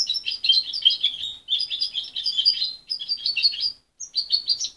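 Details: Mother-raised young goldfinch hybrid, weaned at 23 days, with an unfinished but promising song: dense, bright chattering bursts of high notes separated by short breaks, ending after a pause with further twitters.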